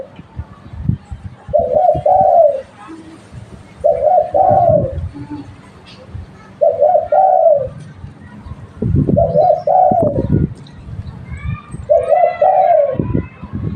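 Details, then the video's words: Local lure spotted dove repeating its cooing phrase about every two and a half seconds, each a short note and a falling coo, with background knocks and faint voices. "Tekukur lokal buat pancingan"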